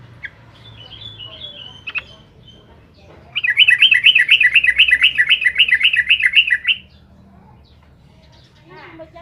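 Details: Trucukan (Yellow-vented Bulbul) singing vigorously, used to provoke rival trucukan: a few soft scattered notes, then a loud run of about a dozen bubbly, rapidly repeated chirping notes lasting some three seconds before quiet returns.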